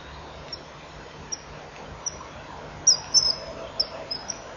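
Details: At a nesting-wall camera at 12:36 on 26 May 2015, a male and female common kingfisher call to each other with about eight thin, shrill, very high whistles at uneven intervals for half a minute before mating, over a steady low hiss.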